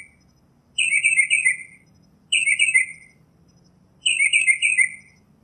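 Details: Northern mockingbird song in the wild, three buzzy, slightly descending phrases of rapid notes, spaced about one and a half seconds apart, with quiet pauses between them.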